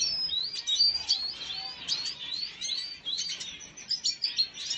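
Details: A red siskin (Spinus cucullatus), recorded 5 June 2022, twitters in a fast, unbroken run of high, thin chirps and short slurred notes, with a few brighter sharp notes toward the end.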